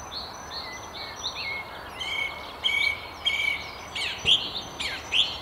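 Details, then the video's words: Perched high at the top of a tree near Haddington beside the River Tyne, a song thrush gives loud repeated bright phrases about every half second, mixed with fainter twittering from other birds and steady background noise. "Song Thrush"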